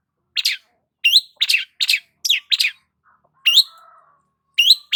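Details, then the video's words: A long-tailed shrike basking in the morning sun gives clear down-slurred chirps singly and in quick pairs, with a longer pause midway, then resumes with the same bright notes. "KICAUAN BURUNG CENDET SAAT BERJEMUR DI PAGI HARI"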